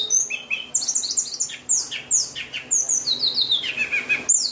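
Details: Rich song of a white-rumped shama: rapid series of very high, sweet whistles and falling slurs, phrases tumbling one into the next with a few sharp chips.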